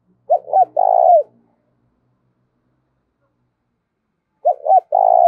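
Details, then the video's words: Decoy spotted dove used for luring wild birds, voicing the giọng thổ call: two phrases about four seconds apart, each two clipped hoots leading into a long trembling coo, otherwise quiet. "Chim Cu Mồi - cu gáy giọng thổ thúc"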